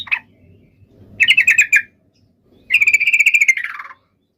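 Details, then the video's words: Yellow-vented bulbul fighting song meant to trigger replies from other bulbuls: a lone chip, then two separate rattling bursts of fast, buzzy notes, the second longer and sliding slightly downward at its end. "trucukan gacor SUARA TARUNG INI menjadikan burung trucuk gacor NYAUT SEKETIKA"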